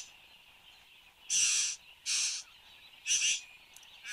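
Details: Satin bowerbird displaying at its bower in Australia, 8:02 am on 10 January 2015, webcam recording: three loud, harsh, hissing rasps, each under half a second, spaced about a second apart, with a faint steady hum between them.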